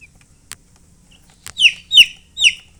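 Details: Baby chicks chirping: three loud, high, downward-sweeping peeps about half a second apart after two faint clicks, in quiet surroundings.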